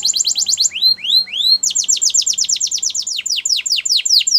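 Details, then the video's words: Russian canary flute song, quick trilled syllables broken by three rising looped whistles, then a long fast rattle of downward-sliding notes. "Russian Canary Flute Singing"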